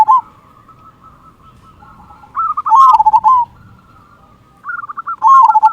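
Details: Zebra dove of a local Indonesian strain, heavy 'kung' voice, played to provoke quiet doves into song: loud, rolling, pulsing coo phrases about two seconds apart, with a faint steady cooing from another dove between them.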